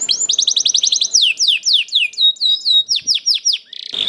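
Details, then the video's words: Young canary song for prompting caged canaries: a quick run of rising chirps, then slower bright downslurred whistles repeated steadily, ending in a short buzzy note. "KENARI GACOR DOR NGEDUR NGOTOT CUIT CUIT NGEROL AMPUH PANCINGAN KENARI PAUD"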